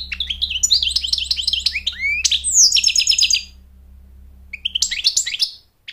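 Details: Goldfinch; song; attracting a mate and teaching chicks to sing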